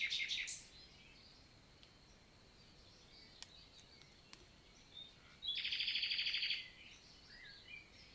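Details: Common nightingale daytime song in a forest of the Célé valley, Lot, France, June morning; a brief high burst, faint background notes, then a loud fast rattling trill lasting about a second.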